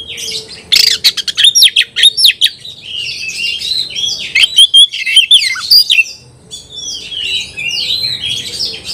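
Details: Singing hard against a rival, an Oriental magpie-robin delivers konslet style song: a fast run of sharp chips, then a long stream of varied whistles and warbles fading softer toward the end.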